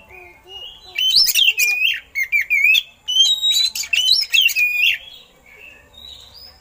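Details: Oriental magpie-robin song containing eagle-call imitations, meant to train other birds: loud varied whistled phrases with sharp upward and downward slurs, delivered in dense bursts separated by short gaps.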